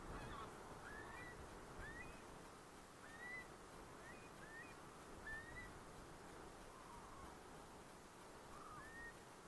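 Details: A flock of geese, with curlews present, calls continually at night (23:07, 19 September 2018, Kulgur): short, nasal, upward-bending honks every second or so over a steady rushing background hiss.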